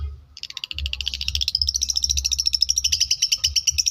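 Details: Long-tailed shrike from South Malang, Indonesia, singing in imitation of lovebird and canary: a fast, even trill of high twittering notes that grows steadier and brighter, with a low steady hum underneath.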